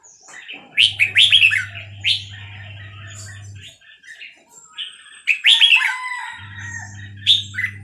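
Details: Burmese-type red-whiskered bulbul at Dan Singkhon sings two bursts of quick, liquid, rising and falling whistled notes, separated by a few seconds of quieter chatter, with a continuous low hum underneath.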